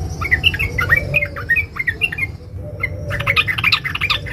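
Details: Female sooty-headed bulbul calling to a male: fast, close-packed chattering of short, sharp, rising and falling notes, briefly pausing before another dense burst, with steady low background hum throughout.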